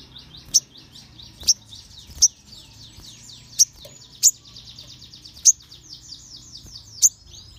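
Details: Crimson sunbird singing to provoke other sunbirds into singing: long run of fast, high thin twittering notes, punctuated by sharp clicks roughly every second.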